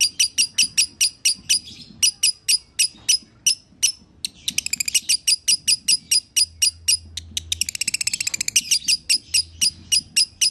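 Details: Lovebird singing vigorously in the konslet style, used as a master for other lovebirds: regular sharp high chirps in long runs, broken by two fast, trilling bursts of tightly packed notes.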